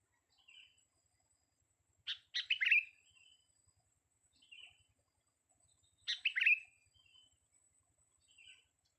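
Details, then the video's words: Young sooty-headed bulbul singing: a soft whistle leads into a bright, bubbly phrase of rapid falling chirps, repeated about every four seconds with quieter notes between; background otherwise quiet. "kutilang muda tes VOKAL kicau"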